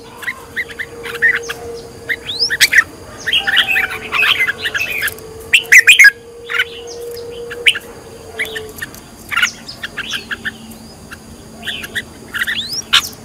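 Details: Decoy red-whiskered bulbul in training, singing in the fired-up style: scattered chirps and busy warbled bursts, densest around four to six seconds, then looser twittering notes. A low steady hum runs beneath.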